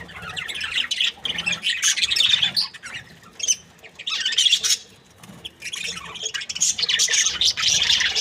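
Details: Budgerigar breeding pair, called happy, in squawky chattering bursts of rapid scratchy notes, with quieter gaps between outbursts.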